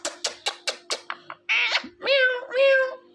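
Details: Pet ringneck parrot: a quick series of sharp clicks, a scratchy burst, then two drawn-out nasal calls like imitated words, over a faint steady hum.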